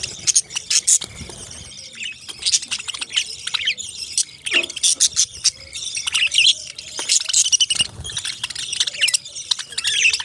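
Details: Parrots giving busy, high-pitched chirping and twittering, many short overlapping notes in quick succession with several voices, broken by a few soft knocks and a faint low hum.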